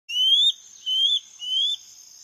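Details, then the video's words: Common Scale-backed Antbird song: three thin, clear whistles, each sliding upward and lasting under half a second, in slow succession over a steady high insect hum. "canto do 🐦 pássaro Rendadinho"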